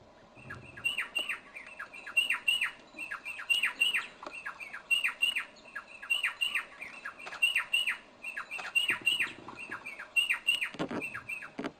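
White-backed night heron giving a steady stream of harsh, nasal squawks, several a second, with brief pauses between bursts.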